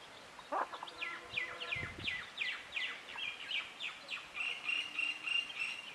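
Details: Chicken chicks, colored chicks, give rapid downward-slurred high peeps, many in quick succession at an uneven pace, with a brief low rustle near the middle and rural background hiss.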